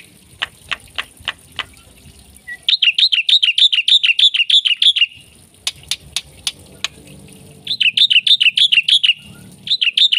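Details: Black-winged myna singing with full fills: bursts of quick, repeated chirping notes between spells of sharp clicks and a low background rumble.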